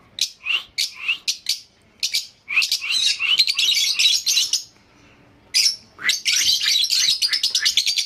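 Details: Lovebirds chattering: dense, shrill chirps and twittering in long rapid runs, a brief silent pause, then a fast stuttering series of high notes.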